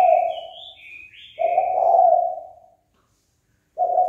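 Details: Spotted dove giving a provoking call meant to start a fight. Low rolling coos with a long silent gap between them, while a higher, sliding whistled bird call overlaps the first coo.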